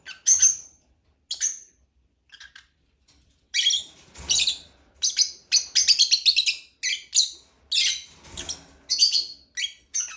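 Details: Lovebird chirping: bursts of sharp, high-pitched chirps and squeaky notes, some single and some in quick clusters, with short pauses between the busier phrases.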